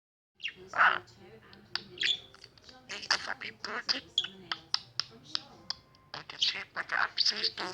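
A budgerigar chatters rapidly, mixing speech-like mimicked words with clicks, squeaks and warbled notes.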